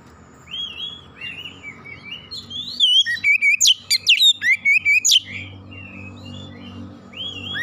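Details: Oriental magpie-robin song used as a fast lure to provoke another magpie-robin into singing; after a quiet stretch of faint whistles, a loud run of sharp, clipped notes and rising whistles bursts out mid-clip, over a low background hum.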